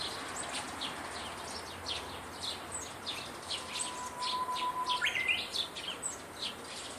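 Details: Japanese bush warbler with an admirably skilled song: a steady low whistle held for over a second, then a sudden rapid phrase leaping upward into bright twisting notes, set against continual high chirping of many other birds.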